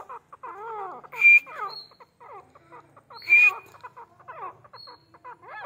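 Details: Grey francolin, one of a breeding pair in Pakistan, gives two loud raspy bursts, each trailed by a high whistle. Busy warbling and chattering from other birds fills the gaps.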